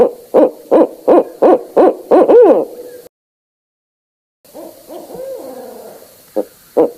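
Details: Barred owl giving a rhythmic run of six low, even hoots, roughly three a second, that builds into a quavering downslurred note, then a pause and softer, rolling hoots followed by two short notes.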